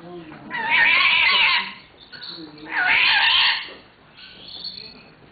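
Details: A pair of lories, Erzlori and Schwarzsteißlori, apparently courting, at Weltvogelpark Walsrode, Germany, in August 2011: two loud, harsh, rasping screeches about two seconds apart, then quieter chatter.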